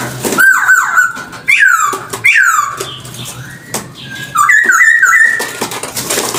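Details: Chinese hwamei singing, recorded for use as a lure: loud slurred whistles that swoop down from high to mid pitch, spaced about a second apart, ending in a quick burst of looping warbled notes.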